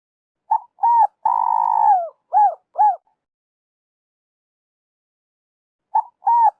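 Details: Spotted dove calling as a lure for trappers: two clipped coos, a long level coo tailing off downward, then two short arched notes; silence follows before two more brief coos.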